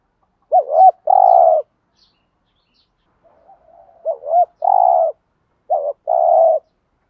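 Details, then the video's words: Spotted dove thúc gù lure cooing, used to agitate wild doves into answering: three phrases, each a wavering double note followed by a longer steady coo, with the second phrase coming after a pause of about two seconds. "tiếng cu gáy THÚC GÙ bài bản/ chim cu gáy giọng bài bản giúp bổi ức chế và gáy theo"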